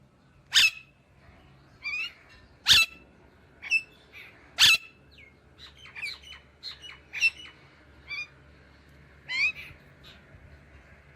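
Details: Indian ringneck parakeet squawking: three very loud sharp shrieks in the first five seconds, followed by a busy run of shorter chirps and twittering notes and a final shriek.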